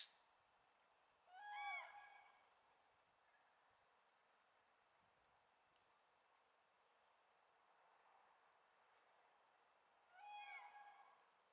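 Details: Common cranes just returned in spring at the Swędrnia floodplain in Rożdżały on a foggy, gloomy 18 February 2017. Two loud trumpeting calls, rich in harmonics, ring out about nine seconds apart over a quiet, hissy background.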